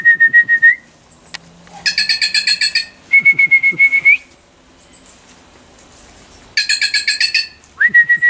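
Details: Wild bird interacting with a person who offers food. Pulsed, buzzy, rattling note trains alternate with long, steady, level whistles that turn sharply upward at the end. Quiet gaps separate the phrases.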